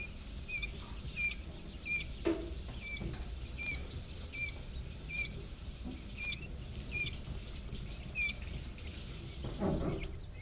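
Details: Three-day-old quail chicks giving thin, high peeps at a fairly steady pace, about one every second, over a steady background hiss with a few soft rustles.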